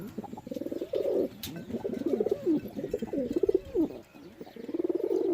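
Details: Continuous flock cooing from pigeons, low wavering throaty notes rising and falling in overlapping phrases, with one sharp click early on.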